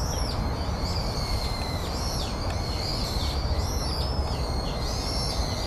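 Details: Brown-eared bulbul calling at Yatsu tidal flat in January 2013. Sharp squealing notes rise and drop in loops, several in quick succession and partly overlapping, against a steady low background roar.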